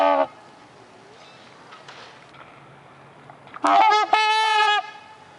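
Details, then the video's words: Trumpeter swans at a bird sanctuary: a brief honk, then after a quiet pause a loud, brassy, horn-like honk in two bursts. "Mute & Trumpeter Swan Feeding & Honking"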